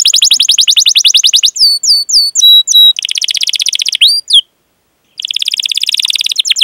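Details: Long cuit-cuit canary song meant to prompt young or silent canaries to sing: a rapid rolling trill, several separate sweeping whistled notes, another fast trill and a short pause, then a dense high trill resumes.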